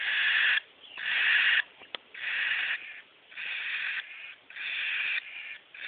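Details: Three cockatiel chicks aged 13, 11 and 9 days, getting ready to be handfed, recorded on a cellphone: loud, harsh, buzzy begging rasps in rhythmic bursts of about a second each, repeated almost without pause.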